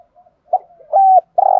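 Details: Spotted dove used as a lure bird to provoke rivals into calling: clean, low, mellow coos, a short soft note, then longer steady hoots, the last loud and sustained, in a quiet setting.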